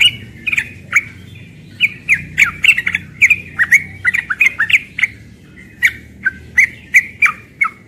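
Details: A young yellow-vented bulbul sings rapidly in the morning: a fast run of bubbly, gurgling notes, two or three each second, over a faint low hum.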